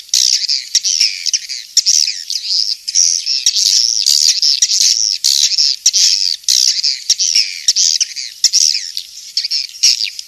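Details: Loud, steady swiftlet twittering, King's Star style, made of wavering squeaky notes and buzzy chirps running almost without a break.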